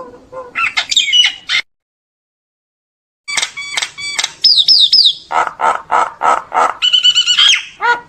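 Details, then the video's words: Common myna song meant to call the flock: bursts of dry clicks and squeaks, a pause of silence, then slurred whistles, a string of lower nasal chuck notes and a quick trilled whistle. "tiếng chim sáo nâu hót gọi bầy"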